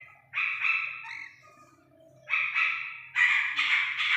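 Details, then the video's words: Iranian partridge chick calling: three bursts of harsh, buzzy, harmonic notes, the first around half a second in, a second group near two and a half seconds and a louder run at the end, with quiet gaps between. "ایرانی تیتر کے بچے کی اصلی آواز"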